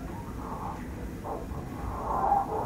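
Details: A Manx shearwater calling from a burrow under the warden's house on Skomer Island, South Wales, gives muffled, hoarse, gasping calls in loose short bursts growing louder, over a low rumbling background.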